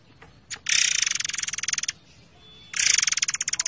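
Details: Forktail delivering tight, long rolling bursts over flowing water in a songbird training recording; two loud, fast, grating rattles, the first over a second long with evenly spaced pulses, then a pause before the second.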